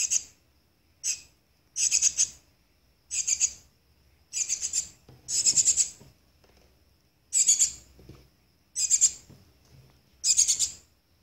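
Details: Young Shiny cowbird, parasitized by 27 Philornis larvae and tended by hand, repeating rough hissing begging bursts of varied length, about nine over eleven seconds, each faintly stuttered, with quiet gaps between.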